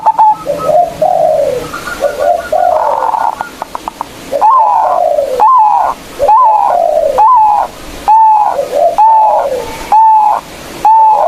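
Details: Local zebra dove singing persistently to challenge rivals. A brief soft trill gives way to a string of loud, evenly spaced coos, each rising sharply and falling away, about one every second.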